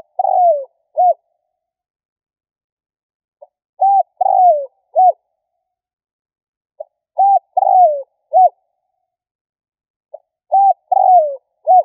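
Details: Lure call of a spotted dove, used to provoke: repeated four-part cooing phrases about every three and a half seconds. Each phrase has a soft lead-in note, two rounded coos and a drawn-out falling coo, on a silent background.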